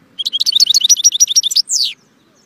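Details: Goldfinch song: a rapid, tinkling series of high chirps and trills with a steady rhythm, finishing in a harsh falling buzz.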